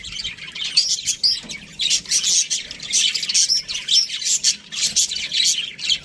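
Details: A flock of budgerigar parrots in an aviary makes scratchy, squawky chirps and warbles in quick bursts, many birds calling over one another.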